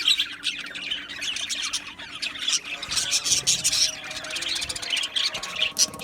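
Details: Many Australian budgies chirping together in an aviary colony, a steady wash of high twittering and scratchy warbles with occasional sharper squeaks.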